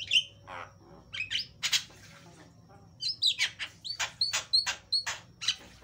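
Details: Javan myna lure song, loud and varied: clear upslurred whistles mixed with harsh buzzy bursts, a pause, then a rapid string of repeated whistled chirps with rasping notes between.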